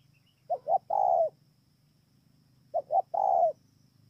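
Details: Spotted dove singing at Bờ Y in Kon Tum, Vietnam, 28 November 2017. Two identical phrases, each with two short rising coos and then a longer, mellow, falling coo, are spaced about two seconds apart over a quiet low background hum.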